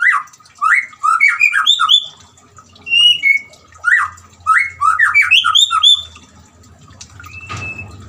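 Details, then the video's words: Singing white-rumped shama, played to stir a silent shama into song: bursts of rich, warbling whistles with harsh chattering notes, repeated in phrases about a second long, then a brief low rumble and a sharp click. "suara gemricik air dan siulan murai batu"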